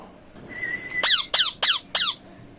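A ring-necked parakeet gives four harsh, screeching squawks in quick succession, each sharply falling, after a faint thin whistle; the setting is otherwise quiet.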